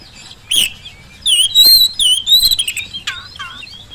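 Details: Energetic Oriental magpie-robin song used to provoke quiet birds into replying: a sharp note, then a dense run of warbled whistles and harsh buzzy notes, ending in two falling whistled notes.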